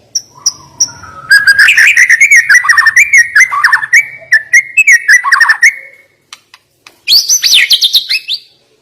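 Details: White-rumped shama (murai batu) singing a sharp, shooting 'nembak' fill song: a few high whistles, then a dense run of rapid rising and falling whistled notes with sharp clicks, a pause, then a high buzzy burst.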